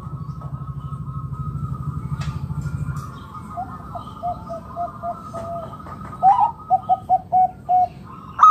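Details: Wild local zebra dove calling to lure other doves into calling: a rapid run of short staccato cooing notes, first low and soft, then louder and clipped near the end, over a steady humming drone.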